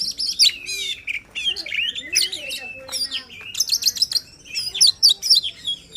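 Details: Emotional White-rumped shama song for encouraging a bird that rarely sings: dense stream of varied whistles, trills and sharp chips with brief pauses.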